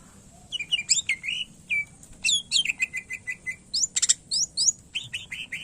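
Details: A greater green leafbird pours out varied song as training material for other birds: bright slurred whistles, then a repeated series of short falling notes, then a few quick chips.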